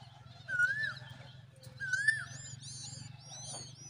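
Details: Common babbler (Argya caudata) feeding its baby a big worm: two drawn-out, slightly rising whistled notes about a second and a half apart, then a burst of thin high begging chirps from the chick, over a steady low hum.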